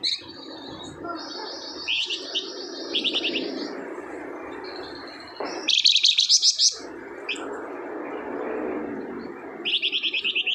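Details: Flamboyan singing steadily, played to draw a response from idle birds: high buzzy chirped phrases and fast trills scattered over ten seconds, separated by gaps, over a constant low hum.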